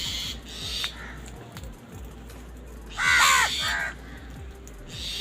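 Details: Crow feeding, described as angry and squabbling over food; a single harsh, hoarse caw with arched harmonics rises out of steady low background noise partway through.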